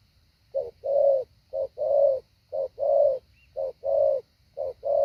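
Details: Spotted dove used as a decoy, practising hạ bổi: after a brief quiet start, deep coo pairs follow evenly, a clipped note then a longer mellow one, about once a second.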